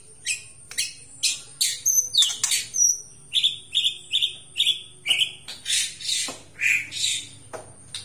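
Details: White-rumped shama from Aceh singing with great vigour: harsh buzzy bursts and sharp notes alternating with repeated clear whistles, steady rhythm of about two notes per second.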